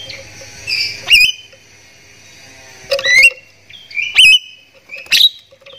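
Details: Javan myna lure calls to prompt other mynas to call, heard as four bursts of harsh noisy notes ending in rising whistles, roughly one to two seconds apart.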